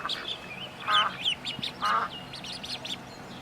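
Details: High, twittering peeps from young ducks, with two fuller, nasal quacks breaking through.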